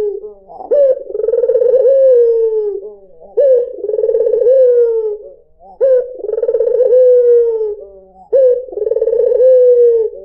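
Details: Lure recording of a white dove (puter putih): low, mellow coos repeat roughly every two and a half seconds, each opening with a short rising note, then a throbbing trill that ends in a smooth, drawn-out falling tone.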